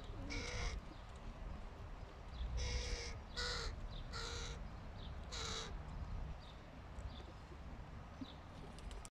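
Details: Fluffy hooded crow fledgling being fed by its father; a series of hoarse, drawn-out nasal caws, some single and some in quick pairs, spread irregularly through the recording over a constant low hum.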